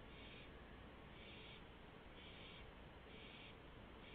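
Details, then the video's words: Owl at 3:16 AM on 1 April 2015, being fed a gopher at night. Harsh, hissy bursts, each about half a second long, repeat roughly every second over a steady low background hum. "Gopher For Rosco!"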